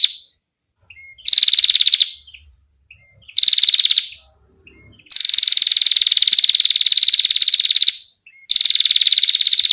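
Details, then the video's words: Long clear 'ngetir' trilling from a female Bar-winged prinia, meant for training or luring other birds. Four high, rapid, buzzy bursts on a level pitch, the third stretching over three seconds, separated by short pauses with faint soft chips. "PRENJAK BETINA Ngetir Panjang Istimewa Suara Jernih"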